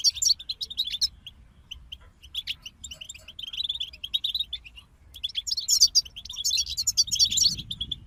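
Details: European goldfinch group singing to stimulate songbirds: twittering phrases with scattered chirps, a quieter gap, then a loud, dense stretch of tinkling trills and buzzy notes, with a soft low rumble late on.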